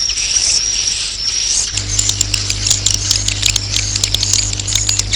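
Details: Swiftlet roosting call: high, thin, wavering twitter at first, then rapid dry clicks and sharp chirps over a steady low electrical hum.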